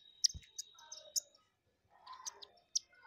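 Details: Indian silverbills at a rooftop seed feeder in the morning, where a flock of hundreds visits daily: sparse, high, thin chirps and clicks in short separated bursts, with a soft low thud near the start.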